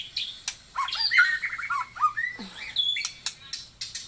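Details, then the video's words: White-rumped shama of the Taiwan type singing a run of quick looping whistled notes with sharp clicks between, including one sweeping note dropping low, then further high clicks. "burung murei taiwan super mantapppp suara josss"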